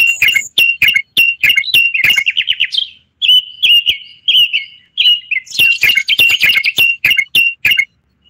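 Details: Common bulbul, the Moroccan bulbul, singing strings of sharp, repeated high notes, about one hundred a minute, with a short trill and brief pauses between phrases.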